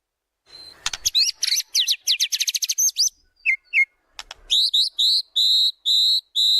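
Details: White-rumped shama song used as a lure for training birds. It has a fast series of sharp chirps and swooping whistles, two clear low whistles, then a run of steady high whistled notes repeated at an even pace.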